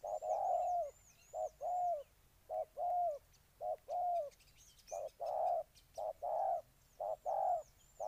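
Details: Steady cooing from a spotted dove in Ninh Thuận, Vietnam: about eight short-long coo pairs in a continuous series, low and soft, with faint high chirps and twitters of other birds throughout.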